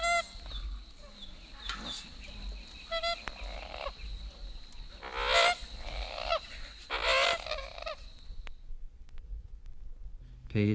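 American Coot giving harsh, honking, nasal croaks in irregular bursts every few seconds, with softer clucks between and a faint hiss behind.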